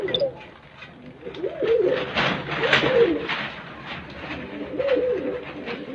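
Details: Cooing from a pigeon described as the smallest kind in the world: low rounded coos in two or three bursts, mixed with tapping, rustling and broadband clatter in the foreground.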